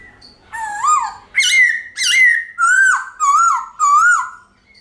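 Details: White-cheeked laughingthrush giving its long-ringing forest-type song: six strong whistled notes in quick succession, opening with a rising slur, then steady sustained tones and finally wavering up-down slurs, clear against a quiet background.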